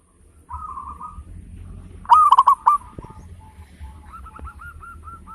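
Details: Loud, well-rhythmed song of a local zebra dove, kept as a lure to get other birds singing. Quiet coos lead into a short, loud burst of bubbling staccato notes, followed by faint quick cooing runs.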